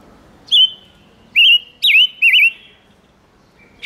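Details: Song of a silver-eared mesia, a lure to attract wild birds and provoke males: four sharp whistled notes, the third dropping steeply, the last wavering, then silence and a final faint chip.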